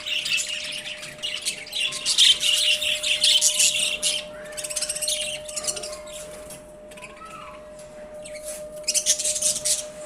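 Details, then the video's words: Budgerigars calling in the morning: dense, buzzy high chirping and warbling chatter in loud bursts that fade midway and return toward the end, with a steady low hum throughout. "Good morning budgie's"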